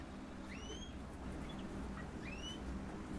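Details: A captive Green-rumped parrotlet gives two quick, rising squeaky chirps about two seconds apart, with a few soft twitters between, over a steady low rumble of traffic.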